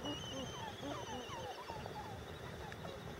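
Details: A brooding albatross at Midway Atoll gives quick nasal, curving squeals tumbling over one another several times a second, with a low rumble of wind and a thin steady high whine behind.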